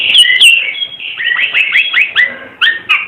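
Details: Short burst of Timor red-eyed bird song: bright upslurred whistles in quick succession, each note clipped and rising, delivered in a steady rhythmic string.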